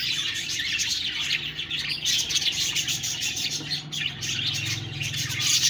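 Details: Budgerigars chirping in a steady, busy high warble, with sharp little tweets rising above the continuous chatter.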